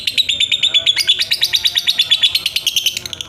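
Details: Lovebird giving a long ngekek trill, used as a tutor song for songbirds: a fast, even string of sharp, high repeated notes, about three per second, running steadily without a break.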